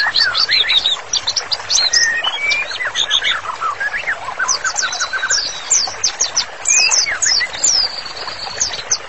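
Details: Lively white-rumped shama song used as master training material for therapy: a fast, varied stream of sharp whistled slurs, rising and falling, with rapid chattering phrases and a few longer clear whistles, almost without pause.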